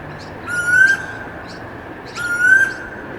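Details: Late-afternoon suburban storm bird (Pacific koel) song: a pair of clear whistles that climb in pitch, spaced under two seconds apart, with thin high twitters from other birds and steady background noise.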